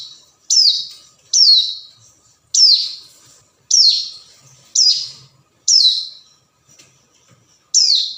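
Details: Hill prinia call meant to draw a rival, for luring: bright, high, downslurred notes spaced about a second apart with small gaps, each note fading quickly, over a quiet background.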